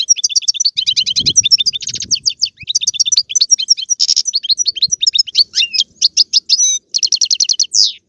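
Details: European goldfinch song meant to prompt a pet goldfinch to sing: dense, fast, high twittering with repeated chirp series, buzzy rattles and sharp slurred notes throughout.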